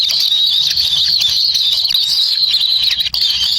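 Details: Hungry kingfisher chicks in a wild nest, jostling for a lizard their parent carried in: an unbroken, shrill, buzzing hiss held at one high pitch, barely varying in loudness.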